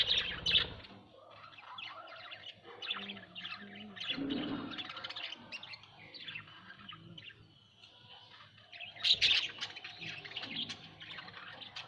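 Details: A group of budgerigars at home chatters softly and steadily, with scratchy twittering throughout, a louder chirp burst near the end, and a low hum.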